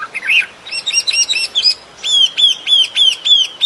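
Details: Birdsong in natural surroundings: a jumble of high chirps and quick buzzy notes, then a run of six clear whistled phrases, each a sharp upward flick followed by a sliding tone, repeated about every quarter second.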